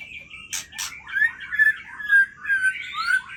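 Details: Aceh White-rumped shama at midnight: two short rasping notes, then a series of clear, slurred whistles rising and falling, each phrase roughly half a second apart.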